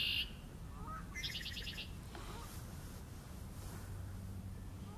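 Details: A red-winged blackbird calling on 5 March 2016 gives a brief high note, then a short buzzy, rattling burst of harsh stacked notes over a steady low background rumble.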